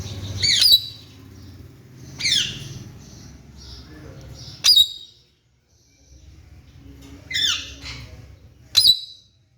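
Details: Raw Alexandrine parakeet kept at home and progressing in talking practice, repeating short, sharp, downward-sweeping squawks about every two seconds, five in all, with faint low room hum between them.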